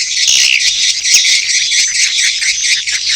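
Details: Edible-nest swiftlets give a mating call with chick calls, a steady dense band of high, hissing chitters and squeaks with faint repeated clicks.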